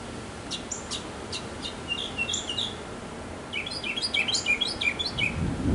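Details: Courting male mockingbird in a backyard, part of several minutes of song: thin high ticks and short notes first, then a dense burst of rapid, jumbled chirps and slurs.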